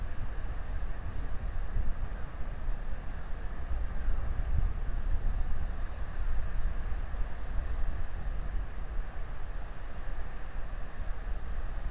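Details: Only a steady low rumble like wind or distant engines is heard, with no animal calls.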